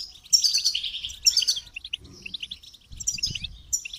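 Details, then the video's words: Goldfinch uttering clear, high twittering phrases in short spaced bursts, crisp chirps separated by brief quiet gaps, with faint low knocks. "Motivating Song of the Goldfinch"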